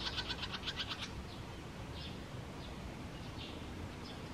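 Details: Barn swallow along the Tama River: a fast burst of about nine clipped, high notes in the first second, then scattered faint chirps over a steady low rumble.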